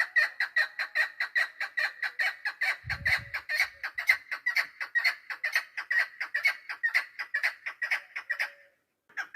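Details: Hunting decoy hen chukar, 3 May 2025: a long, uneven string of harsh clucking notes at a fast pace, with a brief low thump partway through, ending in a short pause and one more note.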